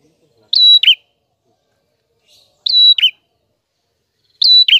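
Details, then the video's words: Prinia, described as a red-headed prinia in full voice with a clear song, suited for training other birds: a steady high whistle followed by a buzzy downward flourish, phrase repeated three times at roughly two-second intervals, quiet background. "Burung Prenjak Gacor Suara Jernih"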